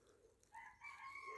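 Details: Rooster crowing on a cold, sunny November morning at about 4 °C on a rural walk: a strained, sustained harmonic crow that starts partway through and runs to the end, with faint outdoor background where crows and robins are also heard.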